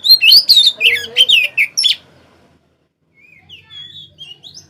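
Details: Oriental magpie-robin song, kept as a lure for birds day and night: a rapid string of loud, varied whistled and chattering notes for two seconds, then silence and a few soft, thin slurred whistles.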